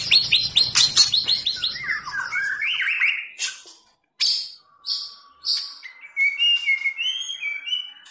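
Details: Contest-ready White-rumped shama with fighter spirit, giving rapid harsh chattering notes, then separated loud bursts with short silences and a few clear high whistled phrases at the end.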